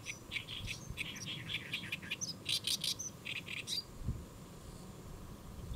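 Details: Great reed warbler perched on a lotus leaf at Saemangeum, Gimje, Korea, on a July 2024 midday; a continuous run of harsh, throaty chattering notes, repeated grating syllables rising to sharper squeaks, then falling quiet with faint rumble.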